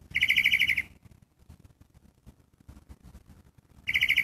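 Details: Gray catbird calling with a quick, harsh, pulsed chatter that lasts nearly a second, then falls silent for about three seconds before another rattling burst begins. Light soft ticking and rustling fill the gap.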